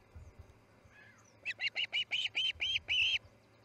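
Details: Osprey chick at a nest in Charlo, fledging from the nest on August 10, 2018, at 6:03am MDT: a rapid burst of about eight sharp, clipped whistled chirps over under two seconds, after faint low thumping and rumble.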